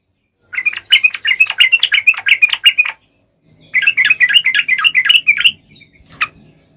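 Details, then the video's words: Sooty-headed bulbul song, intended to coax quiet bulbuls into singing: two bursts of fast, buzzy chattering notes, each about two seconds long, separated by a brief gap, ending with a single isolated chirp. "SUARA KICAU TRUCUK GACOR AMPUH BUAT PANCINGAN TRUCUK MALES"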